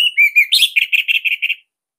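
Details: Orange-headed thrush, Bali type, in a song offered as master material for young or silent birds: mellow mid-pitched whistles, a brief harsh note, then a steady series of about eight rapid warbled notes.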